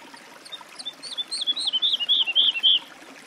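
A woodlark's song: a run of about a dozen liquid, fluty notes that quicken and swell in volume over three seconds, over faint background hiss.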